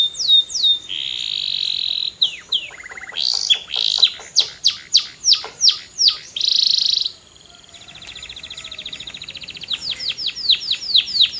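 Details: Long canary song of varied tours: falling whistles, a buzzy trill, a burst of loud rapid downward sweeps, a soft rolling trill, then a fresh run of quick descending notes.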